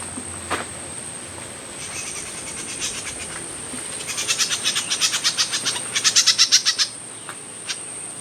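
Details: Myzomela recorded on 25 December 2022 giving a rapid series of sharp, high ticking notes, about four per second, that build in loudness toward the end, over a steady high-pitched hum.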